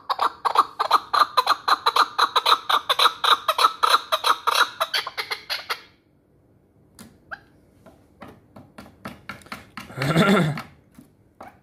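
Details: Hunting chukar partridge from the Pamirs gives a quick, regular series of chuck notes for about six seconds, then falls silent. A few soft clicks follow, and a brief low noise comes near the end.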